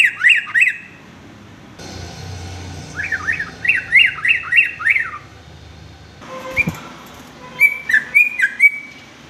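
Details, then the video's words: Sooty-headed bulbul singing an unusual, varied song used as a tutor for young males: three bursts of quick, sharp, zigzagging chirps, the middle run of about six rapid notes, separated by quiet pauses, with a soft background hiss. "kicau trucuk aneh tapi unik"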